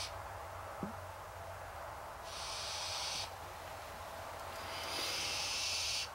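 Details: Hungry barn owls give breathy snoring hisses: a soft click early on, then a second-long rasping burst, a pause, and a louder, longer hiss toward the end, all high and noisy without clear pitch.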